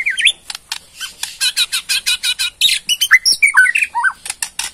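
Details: Kept Bornean white-rumped shama in rattling provoking song: a long, dense series of harsh broadband rattles repeated several times a second, broken by short slurred whistles late in the run.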